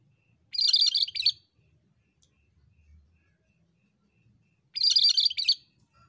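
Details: Energetic cucak kerinci bulbul song: two short bursts of rapid, scratchy, high-pitched chatter about four seconds apart, with near silence in between.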